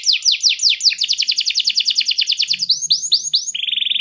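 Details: Canary song with a clear tone, played to coax silent canaries into singing: rapid downward-sweeping notes, then a dense buzzy trill, a few looping rising whistles and a steady high trill at the end.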